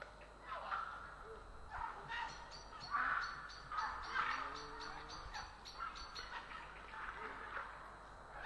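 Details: Grey heron in Estonia on 3 April 2017: harsh, rasping croaks repeated at irregular intervals over steady background hiss, while many small birds give high, thin chirps throughout.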